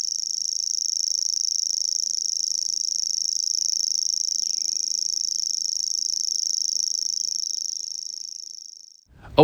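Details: Common Grasshopper Warbler at Gibraltar Point, Lincolnshire, where two to three pairs nest, reels a high, dry, insect-like trill, unbroken for about nine seconds before cutting off abruptly; the song can run two or three minutes.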